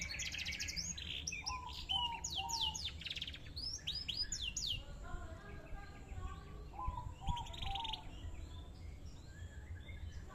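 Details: Big-postured canary in song, opening with rapid repeated trills and high rising sweeps, then short whistled phrases and a quieter stretch of soft chirps, with steady background noise.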